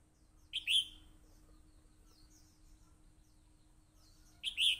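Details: A red-whiskered bulbul in combat, recorded by voice recorder, repeats a loud, sharp two-note whistled phrase twice, about four seconds apart, with faint softer chirps between.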